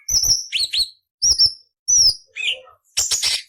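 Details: Cucak cungkok song used as training material for magpie robins, leafbirds and kacer: sharp high whistled notes with downward slurs and harsh rasping bursts, delivered in short phrases separated by brief pauses.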